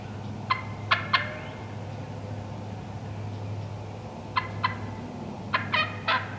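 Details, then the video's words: Wild turkey hens in the woods give bursts of two or three loud clucks, with a rougher, drawn-out cluck cluster at the end, over constant low hum. "Wild Turkey Hens Cutting Yelping and Calling"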